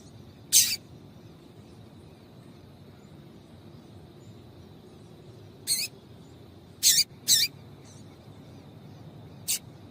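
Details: Sparse female double-collared seedeater calls, played to stimulate male song: five brief, sharp high chips spread over the span, two close together, with long silent gaps.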